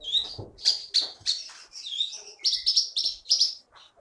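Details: Champion konin bird from Bangka, Indonesia, taken from the forest and now kept for singing contests, delivering a dense stream of high, sharp whistled chirps and quick slurred notes in rapid bursts, ending with a brief pause.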